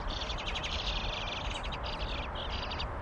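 Eastern bluebird young just before fledging give a steady stream of rapid, high chirps, several voices overlapping, over a low background rumble.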